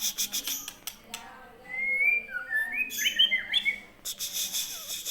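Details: Shama from Aceh delivering a long smooth whistle that climbs, followed by a tumble of rich, varied whistled notes, with rapid ticking clicks before and after the phrase.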